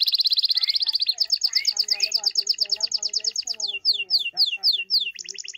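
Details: Hand-tame pet goldfinch singing at close range: a fast run of bright, high twittering notes, then rapid tinkling trills and repeated buzzy, liquid phrases, all strung together without pause.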